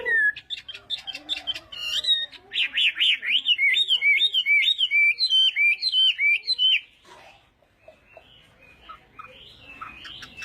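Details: Chinese hwamei at morning singing practice: a few sharp chirps open, then a fast string of looping, wavering whistles, each repeated many times in a row, before the song fades to quiet with faint distant notes.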